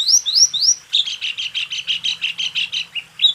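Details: Training recording of white-eye song for caged birds: three rising slurred whistles, then a fast even series of chipping notes about five a second, ending with a short whistle.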